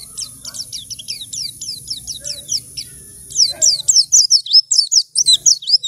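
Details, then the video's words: Caged white-eye chosen from a mass cage of birds, in song within two weeks. Steady run of high, falling chip notes, then a louder, faster twittering phrase of slurred high notes. "Pleci Ombyokan 2 Minggu Gacor"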